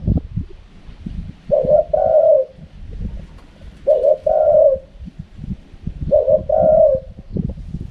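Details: Spotted dove calling in a wild style, three times at roughly two-second intervals: each a soft, low coo followed closely by a longer, slightly falling coo, over faint background rustling and clicks.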